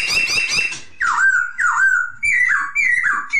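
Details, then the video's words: Poksay hongkong, the masked laughingthrush, opens with a harsh rasping burst, then gives five loud whistled notes in a row, each dipping and rising again, spaced about half a second apart. "Poksay terapi suara poksay,hongkong"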